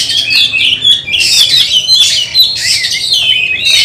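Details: Kacer (oriental magpie-robin) practising for a singing competition: loud unbroken run of high whistles mixed with buzzy, scratchy notes.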